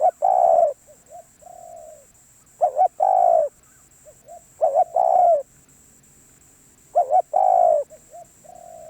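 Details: Spotted dove, noted as a tough wild bird, gives four spaced coo phrases, each a rapid double note and a long falling coo, trailed by quiet short and drawn-out coos, with a steady high whine behind.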